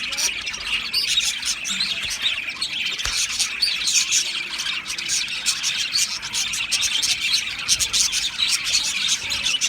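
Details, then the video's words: Many Australian budgies twittering together, a steady bright chatter of fast high chirps with occasional sharper squawks. "Beautiful Budgies chirping Sounds"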